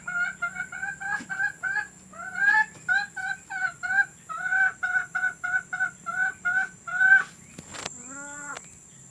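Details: Domestic hen, a sound played to encourage hens to lay eggs; a long run of short repeated harmonic clucks, about two per second, rising into louder drawn-out squawks, ending with a sharp clatter and a falling squawk, steady high electrical hum behind.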